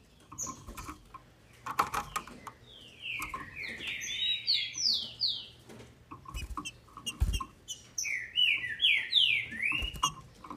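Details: A captive female Green-winged Saltator, whose song is meant to excite males, gives two runs of quick, slurred, down-sweeping whistled notes, with scattered clicks and knocks between them.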